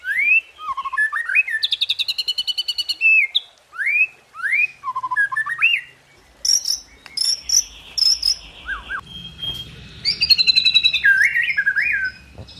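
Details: White-rumped shama (murai batu) delivering 'tembakan' and 'isian' song: a rapid ticking trill, then rising whistled swoops repeated in series, later a buzzy rattle and higher chattering whistles over faint background rumble.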